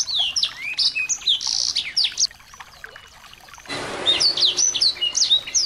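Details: Small birds played to stir a white-rumped shama into song; rapid high chirps and swooping whistled notes, a quieter stretch midway, then a burst of rushing, splashing noise as the twittering resumes.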